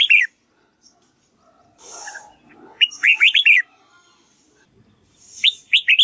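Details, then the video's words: Red-whiskered bulbul practicing its song to train white-cheeked birds. Loud, rapid phrases of rising and falling slurred whistles repeat, with a soft rustling noise between them. "Chào mào luyện giọng cực hay để ép chim má trắng học giọng"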